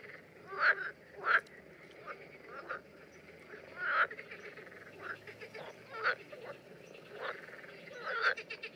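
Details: Common terns in the Danube Delta in June, during mating behaviour, give harsh, rasping calls, short bursts repeated at uneven intervals of about one to two seconds, over a steady background murmur.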